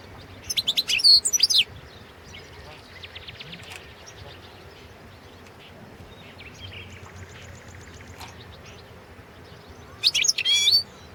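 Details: European goldfinch of the Balkan subspecies, Carduelis carduelis balcanica, recorded in 2017 for an internet world singing championship run by a Serbian breeders' association. Two loud bursts of rapid, high, twittering and tinkling notes come at the start and end, separated by quiet background hiss.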